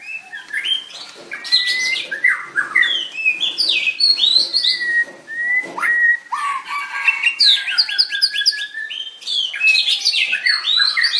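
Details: A white-rumped shama sings continuously at a singing contest on 7/25/16. The song is a rich, unbroken stream of varied whistles, slurred notes and fast stuttering trills, with drawn-out pure whistles mixed in.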